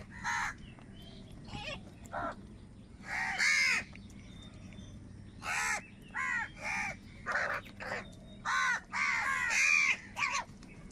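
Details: A busy run of about a dozen short, raspy caws, closely spaced and partly overlapping, from crows fighting for food, with steady low hum behind.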